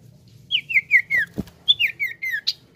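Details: Common iora chirping in two rapid series of short notes, each slurring downward and stepping lower through the run, with a dull thud between them and low background hum.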